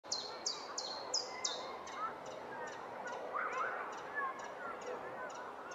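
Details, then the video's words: A Common chiffchaff still singing at the end of June, late in its long singing season when most songbirds have gone silent: high, sharp notes about three a second in a steady rhythm, over a busy background of other birds. "Chiffchaff still singing"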